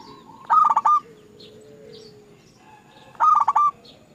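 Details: Zebra dove song used as a lure recording to make other doves sing: two short bursts of rapid, staccato, rolling coo notes, about three seconds apart, over a low steady background hum.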